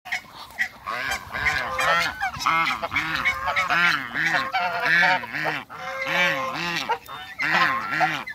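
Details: African geese kept with Muscovy ducks in a backyard, calling loudly: repeated harsh honks with rounded arching tones, several birds overlapping in a busy chorus, with raspy higher notes layered on top.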